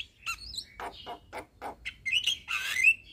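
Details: Javan myna, a young bird, singing for training other myna species: a few squeaky high notes, a string of short rasping chucks, then shrill whistled squeals and a harsh rising screech.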